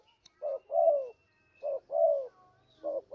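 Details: Spotted dove calling, a lure sound for trapping birds: two-part phrases of a clipped coo then a drawn-out falling coo, repeated about every 1.2 seconds; faint thin whistle in the background.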